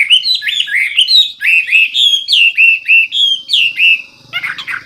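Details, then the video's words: Hwamei gacor song, loud and clear with full isian: a rapid series of upslurred and downslurred whistles, about three notes a second, ending in a brief rough chatter. "Hwamei/wambi gacor full isian suara keras jernih"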